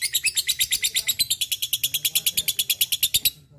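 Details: Lovebird ngekek used as a training lure: a steady, very fast run of shrill high chattering pulses, about eight per second, lasting over three seconds before stopping.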